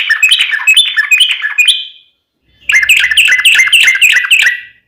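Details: Fighting-style sooty-headed bulbul song meant to make another bird sing back. Two bursts of rapid bubbly, rising-and-falling whistled phrases are split by a silent gap of about half a second.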